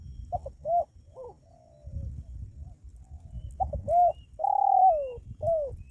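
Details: Spotted dove coo used as a lure to bring in wild doves: short stuttering notes and a soft drawn note, then a full phrase of quick notes, a long falling coo and a final coo, over low rumbling background.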